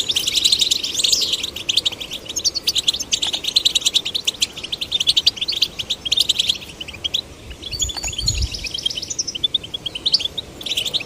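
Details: Male and female goldfinch chicks being stimulated to sing: a dense, fast twittering of high chirps and trills that runs almost nonstop, with brief rising slurs and a soft low thump near the eight-second mark.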